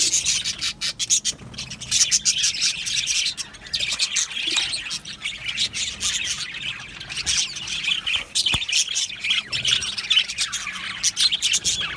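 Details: Budgie colony in an aviary: continuous overlapping chirps, squawks and warbled twitters from many birds, loud and unbroken throughout, with a sharp click near the middle.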